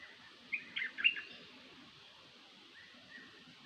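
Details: Calling of a decoy bird, locally named nok dok taeng: a tight burst of four or five sharp, high chirps near the start, then quiet, with two faint thin notes near the end over soft background hiss.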